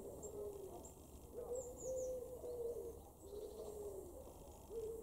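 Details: A wood pigeon in an August garden in Weener, East Frisia, northwest Germany, gives low, soft, hoarse coos in a steady rhythmic phrase, with faint high bird chirps in the background.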